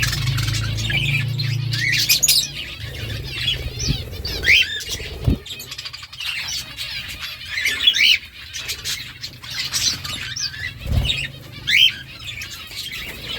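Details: Budgerigars kept as pets chattering, with repeated short rising whistled chirps among scratchy warbles, a few clicks and thumps, and a low hum in the first seconds.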